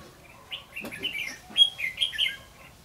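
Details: Decoy red-whiskered bulbul singing its fighting song at a bird trap in Phú Thọ, Vietnam, 3 January 2016: a short burst of clear, lilting whistles in quick succession, one sharp click midway, faint background hum.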